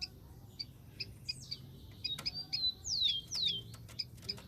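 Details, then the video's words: Rufous-collared sparrow in the wild: amid a low hiss and faint chips, two clear descending whistled slurs ring out back to back near the end. "BURUNG KICAU"SPARROW RUFOUS"(KICAU MANIA)Full Gacor di alam liar"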